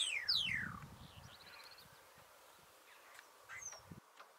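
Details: Thekla's lark, wild in open country habitat: a few clear whistled notes sweeping steeply downward at the start, then faint scattered notes, with low rustling and distant background noise.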